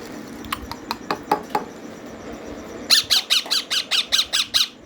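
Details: Green ringneck parrot chicks begging during feeding, a few faint ticks then a long run of about ten harsh, buzzy squawks repeated steadily every fifth of a second.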